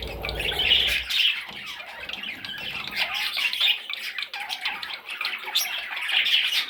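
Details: Hoarse, continuous squawking from parrot chicks, starting over a short low thump and then carrying on with little background noise.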